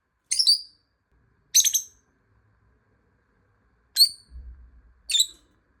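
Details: Lovebird calling while another bird hides and is searched for by sound: four sharp, shrill, squeaky chirps at irregular intervals of one to three seconds, with a faint low rumble between the last two.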